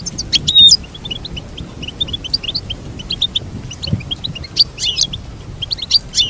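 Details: High, chattering goldfinch song for training a caged goldfinch: strings of short chirps repeated quickly, broken by occasional sharp, wheezy high bursts.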